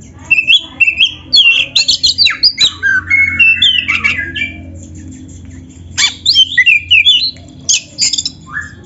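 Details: Black-chested kacer in full song for use in training other birds, mixing canary-like phrases: quick stuttering whistles stepping up and down, dense chattering runs, a short lull, then more sharp trilled bursts and a final whistle.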